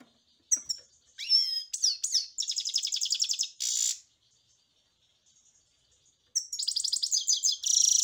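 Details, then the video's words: European goldfinch song with sharp chirps and sweeping twitters, then rapid buzzy trilled passages, a pause with faint notes, and a renewed burst of fast tinkling, trilled phrases. "جميل جدا carduelis الغناء"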